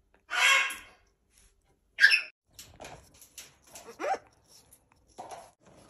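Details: Pet African grey parrot from a pair living in Germany: a long harsh squawk, then a sharp shorter squawk, followed by soft clicks, mutters and a quick falling whistle.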